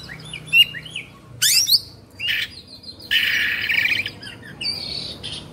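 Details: Agitated kacer (Oriental magpie-robin) in Indonesia, singing 'kongslet' style: a few quick whistled slurs, then coarse buzzing rasps and a sustained harsh rattle.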